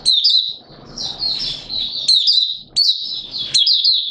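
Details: Malaysian white-eye, a hobby bird, recorded in Singapore on 29 March 2023 in warm, humid weather with sudden showers. The song is a continuous high, jingling warble broken by brief pauses, with a low background murmur early on.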